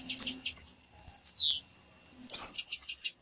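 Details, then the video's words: Female blue-black grassquit uttering calls meant to make the male sing: clusters of piercing high chips, a rapid ticking series, and a drawn-out slurred note falling steeply, then five more evenly spaced high chips. "PIADO DE FÊMEA DE TIZIU FIT SEU TIZIU VAI CANTAR NA HORA"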